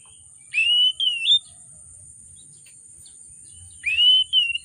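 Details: Two matching whistled phrases from an oriental magpie-robin, each a rising sweep followed by a wavering slurred note, spaced about three seconds apart, with a constant thin high tone behind.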